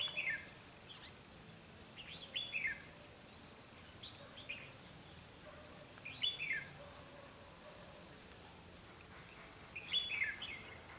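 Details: Caged red-whiskered bulbul used as a decoy to lure wild birds into a trap, recorded 12 August 2016; short whistled phrases sliding downward, repeated every two to four seconds over a quiet hiss.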